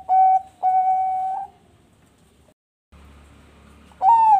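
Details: A captive-bred Bangkok-type zebra dove at a bird farm in Bekasi, West Java, gives three smooth, mellow cooing notes: two steady ones close together, then a brief silence and a last note that swells and falls.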